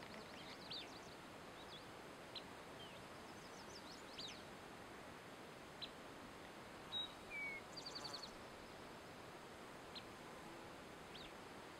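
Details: Alder Flycatcher calling from within a Fraser fir in the Roan Highlands, North Carolina, near the Tennessee border, on 4 July 2011. It gives sharp, high 'pip' notes at irregular intervals and a down-slurred 'weeeer' over steady hiss. Chestnut-sided Warblers and an Eastern Towhee sing in the background.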